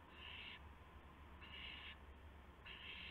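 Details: Owl nest around midnight, 19 March 2016, while adults feed mice and a gopher to two owlets; three breathy, harsh screeches, each about half a second, with pauses of about one second, over low rumble.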